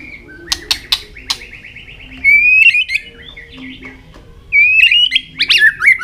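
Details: White-rumped shama, singing and flicking its tail to excite young birds: a few sharp clicks, then long trilled whistles that rise slightly, repeated after a pause with a downward ending.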